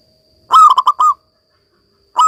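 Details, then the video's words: Zebra dove of local stock singing well, played to restart other doves' song: one crisp phrase of quick stuttering coos, then a pause before the next phrase begins. "perkutut lokal gacor"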